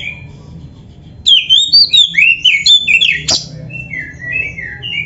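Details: Training recording of a caged oriental magpie-robin singing 'gacor full isian'. Quick, fluent whistled notes sweep up and down and are cut by one harsh rasp, followed by softer, lower whistles.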